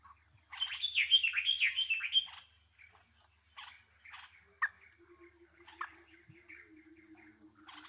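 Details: Nightingale song opening with a loud run of about six rapid, sweeping, whistled notes. Scattered softer chirps and sharp clicks follow, along with a low steady hum in the background.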